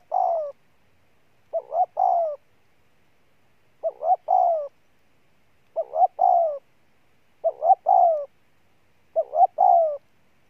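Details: Spotted dove repeatedly delivering its three-part coo, two brief low hoots then a longer falling note. Six phrases come about every two seconds with silence between.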